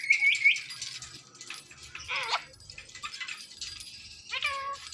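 An Indian ringneck parakeet gives a quick burst of shrill, high chirps, then two drawn-out, falling, meow-like mimicked calls spaced about two seconds apart.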